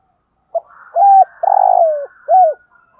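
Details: Spotted dove used as a lure bird to draw in other doves, giving a brief note and three smooth, deep coos, the longest in the middle with a sliding end, over a faint hoarse background.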